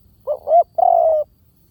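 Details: A single clear spotted dove phrase used as a lure call. Two short, rising, hooting notes are followed by one sustained, soft coo lasting about half a second.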